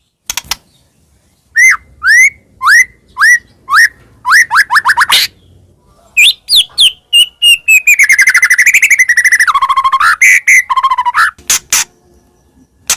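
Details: Actively singing white-rumped shama, recorded as a lure for other birds: a string of repeated upswept whistles about twice a second, then a long fast rattling trill and varied warbled phrases.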